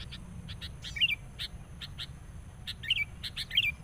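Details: Sooty-headed bulbul kept as a trapping decoy, raging on meeting a rival: a few short, bubbly, warbled notes stand out over a steady run of brief, sharp chirps, with a low hum underneath.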